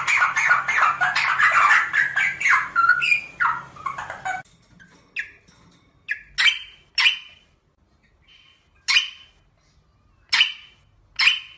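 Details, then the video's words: Rosella singing in captivity, a run of loud warbled, slurred whistles falling and rising over the first four seconds, then sparse sharp squawks repeated at irregular intervals. "SONG ROSELLA تغريد طائر الروزيلا الجميل"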